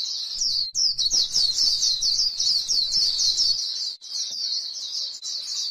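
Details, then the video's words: White-eye from grassland giving fast, high, twittering 'líu' chatter in a near-continuous run, briefly interrupted once before resuming. "KÍCH KHUYÊN LÍU CHUẨN chim khuyên trên đồng cỏ white eye bird"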